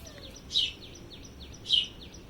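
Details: A house sparrow in a courtyard gives two loud, bright chirps about a second apart, with fainter chirps repeating softly behind and a low hum; a mother is feeding a young sparrow that is trying to fly.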